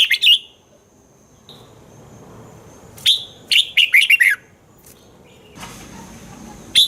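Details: Red-whiskered bulbul singing, a recording meant to excite caged birds: a short chirped phrase, a brief single whistle, then a rapid run of five lilting notes and a final chirp, with hiss between.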